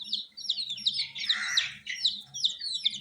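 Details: Baby chicks of coloured domestic chickens keep up fast, shrill, downward-slurred peeping, with a rough broadband burst near the middle.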